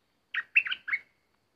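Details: Decoy bulbul during a trapping session disturbed by an uninvited visitor, giving one short bright phrase of three liquid, warbled notes, the last trailing off in a thin whistle.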